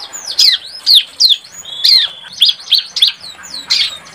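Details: Juvenile bar-winged prinia practising song, used for luring birds; loud, high-pitched chirps and swooping whistled notes come irregularly, several each second, in a lively, uneven sequence.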